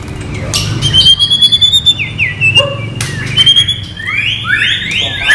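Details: Training material of a white-rumped shama singing without bubbling notes: long high thin whistles, sharp clicks and a few rising swept notes, ending in a flurry of fast upward sweeps, over a low steady hum.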